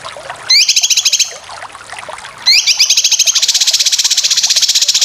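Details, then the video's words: Cucak kinoy song played as master material for training competition birds: bursts of fast, buzzy rising trills with a steady rapid chatter of high notes running to the end. "Masteran full besetan cucak kinoy"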